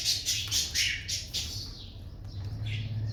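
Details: Cockatiel calls during the breeding season, a fast run of bright, rasping chirps at the start, then quieter, scattered squawks over a continuous low droning hum.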